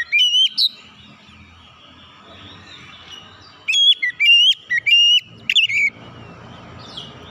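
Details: Loud song of a kacer, the oriental magpie-robin, played to make untrained birds open their beaks and sing: a short burst of piercing whistles, a pause of soft chatter, then a run of five quick whistled phrases.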